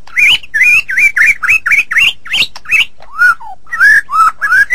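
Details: Song of a white-rumped shama, recorded for training songbirds: loud, rapid, looping whistled phrases repeated almost evenly, then a few lower slurred notes and a renewed run of bright whistles.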